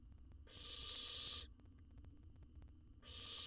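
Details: Baby owl in a monitored wild nest box, gulping down a whole jird; a loud hoarse hissing screech about one second long, then a pause, then another hiss starting at the end.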